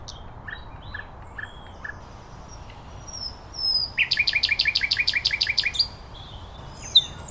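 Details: Common nightingale singing outdoors: soft spaced whistles and chips, then a loud, fast run of about fourteen repeated pulsed notes lasting roughly two seconds, ending with a single sharp note.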